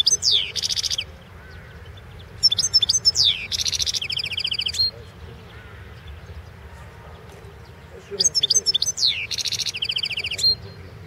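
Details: European goldfinch of the Balkan form, a competition entry in the 2016 World Championship in Goldfinch Song: two long phrases of liquid high twitters, a downward slur and buzzy rattling trills, repeated after a pause of several seconds.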